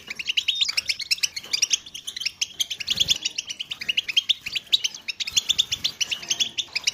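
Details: European goldfinches singing together, used to stimulate other goldfinches to sing: a dense chorus of rapid, bright twittering notes and high buzzy trills, many birds overlapping continuously.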